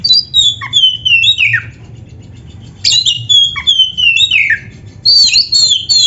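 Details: Oriental magpie-robin in full song, three bursts of tumbling whistles that slide downward and end in a buzzy flourish, separated by short quiet gaps.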